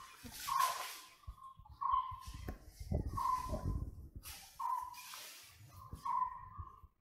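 White-bellied woodpecker giving five clear, slightly whining mid-pitched notes, one every second or so, over low rumbling background noise.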